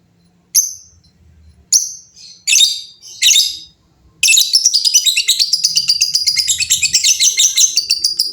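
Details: Vocal lovebirds calling back and forth: a few separate sharp chirps and harsh bursts, then a long, rapid, continuous high chattering trill of fast repeated notes lasting about four seconds.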